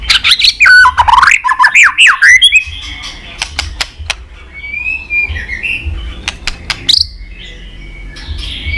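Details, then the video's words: White-rumped shama song played to provoke other shamas into fighting song: loud, rich, swooping whistles and slurred notes for the first two and a half seconds, then softer scattered whistles and clicks over a low hum. "chòe lửa hót líu dụ bổi đấu kích lên lửa hiệu quả.kích chòe lửa hót đấu.kích lửa hót nhiều giọng"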